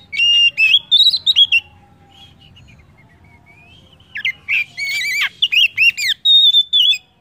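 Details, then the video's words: Kacer, the Oriental magpie-robin, singing a lure song to prompt other birds: rich varied whistles and slurs, a quiet soft warble, then a dense run of sharp, buzzy notes ending on a long, level whistle. "PANCINGAN KACER AMPUH!"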